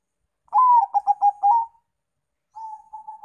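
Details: Zebra dove, Bangkok and local types, used as a lure for other birds: a rising coo followed by a quick run of four or five clipped cooing notes, then a softer level purring coo after a pause.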